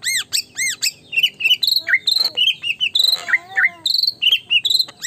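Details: Highly active white-rumped shama, said to unsettle competing birds: high arched whistles repeated in quick rhythm, interspersed with short twisted notes and buzzy bursts, running continuously.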